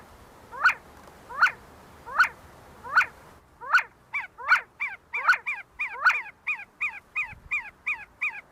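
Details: See-see partridges in Kurdistan, feeding and fighting on the Sulaimani University campus: spaced, sharp, downward-sliding notes every second or so, then a quicker overlapping series of higher whistled notes from more than one bird.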